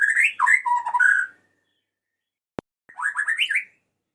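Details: Male white-rumped shama calling to a female: varied slurred whistles dipping and rising, a single sharp click, then a quick rising warbled phrase.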